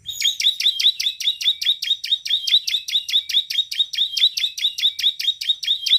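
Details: Vigorous bar-winged prinia song, an unbroken rapid series of crisp, high-pitched chirped notes repeated about two or three times per second, loud and regular throughout.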